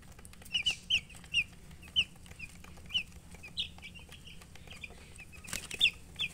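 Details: Chicks chirping: high, sharp peeps repeated irregularly, several in quick pairs, over a low steady hum with scattered clicks and one loud rustle.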